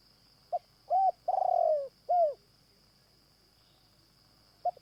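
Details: Morning decoy trapping of wild Spotted Doves: the caged bird gives a run of short soft coos and one longer, slightly rolling coo, then a faint final note, over a steady high whine.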